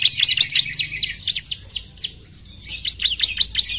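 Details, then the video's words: Fast, high-pitched series of steeply falling notes from a bar-winged prinia, a rapid chattering run that fades, pauses briefly, then resumes. "PUTAR SBENTAR CIBLEK AUTO NYAUT!!"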